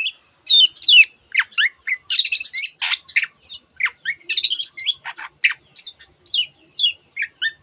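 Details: Long-tailed shrike singing a dense mimicking medley of canary and various other birds' phrases, fast sequences of sharp chirps, downslurred whistles and scratchy notes with brief gaps.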